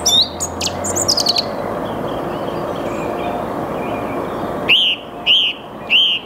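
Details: A Song thrush sings in the early morning (8 March 2022, 08:10) in the Saarn-Mendener Ruhraue, Mülheim an der Ruhr: a quick burst of varied clear notes, then a pause and one loud, arched whistled phrase repeated three times, over a steady hiss.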